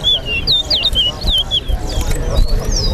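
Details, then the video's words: Towa towa (chestnut-bellied seed finch) singing during a bird race at Lusignan bird ground; bright looping whistled notes, rising and falling in a fast run of about ten phrases, with voices and a counting man behind. "TOWA TOWA BIRD RACE"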